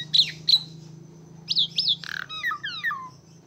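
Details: Asian pied starling in active song: two sharp squeaky chirps, a pair of looping whistles, a rasping buzz, then a quick series of descending whistled notes; a steady low hum runs beneath.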